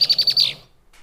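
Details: A female Red-winged Blackbird gives her "I'm taken / I love you" song, a quick series of five high, chattering notes, the last slurring downward, all within half a second.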